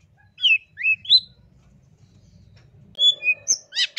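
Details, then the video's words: Master song of a long-tailed shrike, used to train songbirds: three quick rising whistled chirps, a pause, then a burst of high sharp notes and trills. There is a faint low hum in the background. "MASTERAN CENDET TERBAIK SEPANJANG MASA FULL TEMBAKAN MATERI ISTIMEWA"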